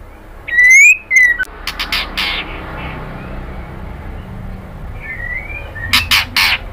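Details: Female white-rumped shama calling to the male: a loud, clear whistled note that rises and then slurs down, followed by several harsh, raspy bursts, a faint buzzy phrase, and a final cluster of rough squawks over quiet background hiss.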